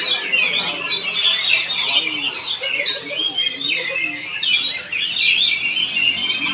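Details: Performing Oriental magpie-robin in Palangkaraya, Central Kalimantan, Indonesia, pouring out loud, varied whistled phrases, rising and falling slurs and quick trills almost without pause, with people chatting quietly in the background.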